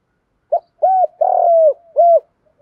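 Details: Spotted dove lure cooing from male and female birds, used to provoke other doves into calling: a short note, then three deep, hollow coos, the middle one longer and wavering, in a quiet setting.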